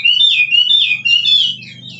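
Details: A kích trống phrase from a wild forest Chinese hwamei: loud, continuous wavering whistles that rise and fall in quick loops, fading slightly at the end over a low hum.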